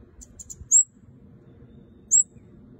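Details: Actively singing red-headed kemade: a few faint ticking notes lead into a loud, very high, falling chirp, followed after more than a second by a second matching chirp.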